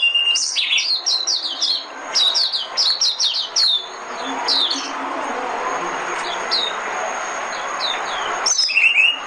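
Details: White-eye decoy song for luring birds to traps: fast burst of high, falling chirps, a quieter gap with scattered notes, then a final sharp phrase.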